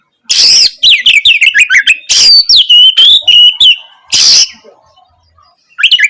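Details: Lively Oriental magpie-robin tutor song aimed at prompting a silent bird to reply; a dense run of rapid chirps and whistles, harsh bursts, a pause, then a brief final phrase.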